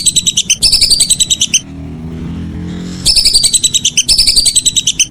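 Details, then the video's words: Whistling duck calling in the evening: two bursts of rapid, thin, high whistled notes, each over a second long, separated by a quiet gap of about a second and a half. "Suara burung belibis sore hari"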